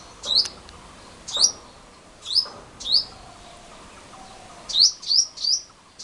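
A male purple sunbird gives sharp, high, rising chip notes, spaced about a second apart and then quicker in a run of three, over a quiet background.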